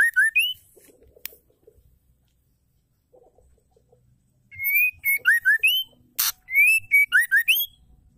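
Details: Female white-rumped shama song meant to trigger male shamas to sing and show their repertoire: the clip opens with slurred whistles, goes quiet with soft murmurs, then resumes with a dense run of rising and falling whistled notes and a sharp burst.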